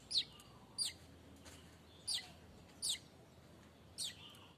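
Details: Streaked weaver, known locally as manyar kembang, singing continuously without pause: short high, sharp chirping bursts repeated roughly every second, each a quick descending squeaky note cluster, over a faint low background hum.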